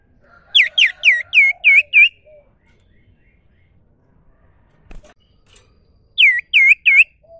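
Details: Natural song of a common iora: a rapid series of six slurred, downward-curving whistles, a pause with a faint click and soft coo, then three more matching whistles.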